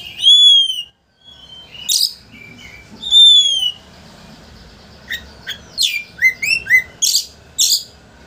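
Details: Oriental magpie-robin, a lively singer used to rile a rival into fanning its tail, gives two long clear descending whistles, then sharp clicks and a quick series of rising whistled notes.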